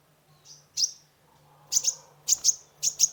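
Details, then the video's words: Sunbird, locally kolibri ninja, singing to lure a stressed caged bird; rapid paired high chirps with ringing tails, several per second, over a low steady hum. "Terapi pancingan konin gacor full isian mengatasi burung stress !!"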